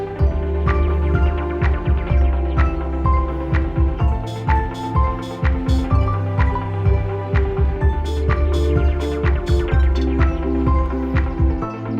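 Only soft, slow background music with low drones and gentle plucked notes is heard, with no animal voice.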